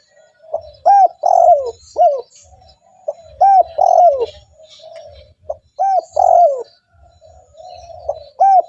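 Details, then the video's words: Persistent spotted dove calls meant to attract wild doves: three evenly spaced phrases of low, throaty coos in a short-long-falling pattern. Quiet purring notes fill the gaps, with a faint background murmur. "TEKUKUR GACOR"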